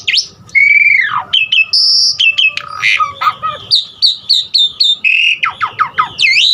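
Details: Asian pied starling with a varied filler repertoire, used to spur other starlings to sing: a long descending whistle, sharp clicks and buzzy bursts, then a dense string of short high whistled notes and swooping slurs.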